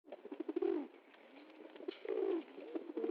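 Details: Pigeon dancing happily after getting food: two drawn-out, throaty coos that dip in pitch, one early and one past the midpoint, with short low grunting notes and faint clicks around them.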